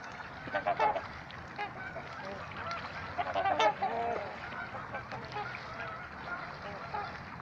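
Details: Trumpeter swans at Gallup Park, Ann Arbor, Michigan, give deep, nasal, horn-like honks, with several birds calling at an uneven pace, overlapping in short bursts.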